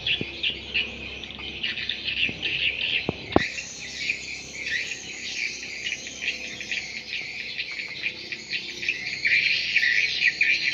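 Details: Swiftlet chorus used as a lure for swiftlet houses: constant high-pitched chattering and trilled chirps from many birds, with a few sharp clicks and an abrupt jump in loudness partway through, the twittering continuing densely afterward.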